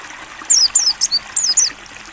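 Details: Six quick, piercing downslurred whistles from a Mountain white-eye, ngalas open-beak training song, delivered in one short clear phrase against a soft background of trickling water.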